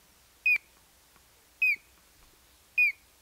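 Collared crescentchest giving short, clear whistled notes with a slight downward inflection, repeated about once a second over a quiet background.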